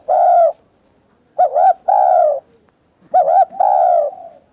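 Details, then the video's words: Soft hollow coos of a spotted dove: a long coo, then twice a quick rising-falling double note leading into a drawn-out coo, phrases about one and a half seconds apart, quiet background. "Tiếng Chim Cu Gáy cực hay"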